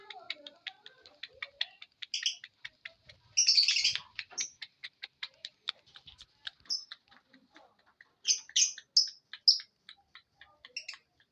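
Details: Lovebird producing a long run of rapid, thin, ticking chirps, broken by several louder, shrill squeaky notes and one harsh rasping burst near the start.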